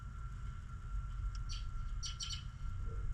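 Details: Birds chirping on a snowy morning: a few short, high chirps, then a quick cluster of sharp repeated chirps near the end, over a steady low rumble and a faint constant hum.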